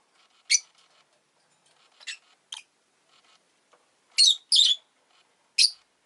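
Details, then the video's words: Pet rosy-faced lovebird indoors, with an egg just laid, giving scattered piercing chirps, single and paired, at irregular intervals over a faint hum of town traffic. "Lovebird Chirping Sounds"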